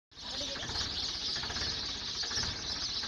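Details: Native sparrows returning home at dusk on a summer night, hurrying to find roosting corners in a dense tree safe from snakes, wild cats and mongooses; a dense, continuous chorus of high chirps from many birds.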